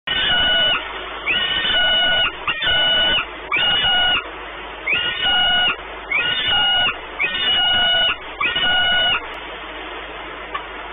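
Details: Peregrine falcons at the nest at Orlen in Płock, Poland, on 28 May 2019: long, steady, harmonic wailing calls, each about a second long, repeated in a run with short gaps, then a quieter stretch at the end.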